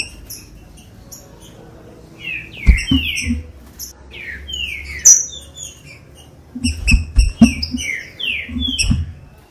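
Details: Green-winged saltator song used to warm up captive birds: loud slurred whistles, some falling and some rising, in two bursts with pauses between. Low dull knocks and thumps sound beneath, with faint high chirps.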